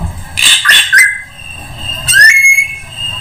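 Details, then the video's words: Drongo lure call meant to draw in all kinds of birds: a quick run of rasping, squawky notes, then a pause and a sweeping upward whistle that holds steady. "SUARA PIKAT SRIGUNTING UNTUK SEMUA JENIS BURUNG"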